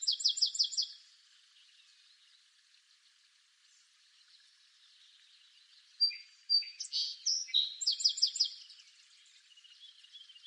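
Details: Song sparrow song that opens with the end of a rapid, evenly pulsed trill. After a silent gap comes a full song of sharp introductory notes, mixed chirpy phrases and another fast repeated trill.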